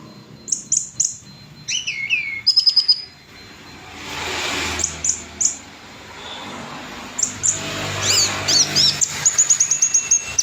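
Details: Orange-headed thrush song 'gacor' with a clear, ringing voice: a varied run of high whistled notes, a few quick trills and slurred phrases, some rising and some falling, broken by short pauses.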